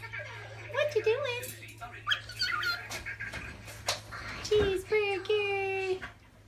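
A cockatiel talks in squeaky, speech-like chatter broken by bright whistled phrases.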